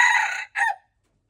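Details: Red junglefowl, recorded 26 February 2025; a short fragment of a loud, raspy crow: one sustained note, then a brief falling final syllable, followed by silence.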